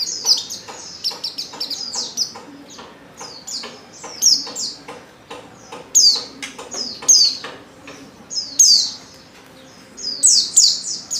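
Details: Oriental white-eye female lure call, used to draw males into song; rapid high-pitched twittering notes crowd together, sliding down, with brief pauses between bursts.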